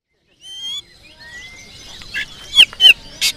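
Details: Oriental magpie-robin singing its featured 'isian' fill song: a few clear sustained whistles, some rising or falling, then sharp loud slurred notes and short bursts toward the end.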